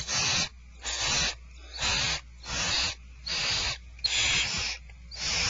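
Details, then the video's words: Barn owls at Starr Ranch during dinner time, 2/1/12: a rapid, fairly even run of rasping hissed screeches, about seven in five seconds, each around half a second, with low background hum. "Starr Ranch Barn Owls Dinner is served"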